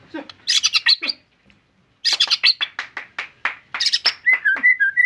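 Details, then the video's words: White-rumped shama delivering bursts of harsh, rattling chatter notes in quick succession, broken by a brief pause, then closing with a few clear short whistles. "MURAI BATU GACORRR FULL DURASI MANTULLL"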